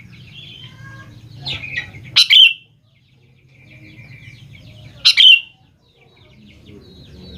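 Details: Sooty-headed bulbul song used as a lure to make young bulbuls respond: two brief, loud, bubbly phrases about three seconds apart, with faint chirps of other birds and a low rumble between them.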